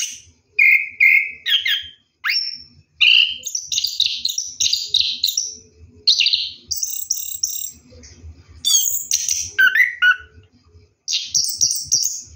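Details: Night-bathing orange-headed thrush in rolling 'ngeroll' song, bursts of varied high whistles, chattering notes and sweeping slurs separated by brief silences, over a quiet background.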